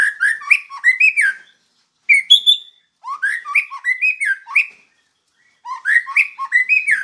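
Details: White-rumped shama singing on a training master recording: rich mellow warbled phrases with upslurred and downslurred whistles, repeated in three bursts separated by brief silences.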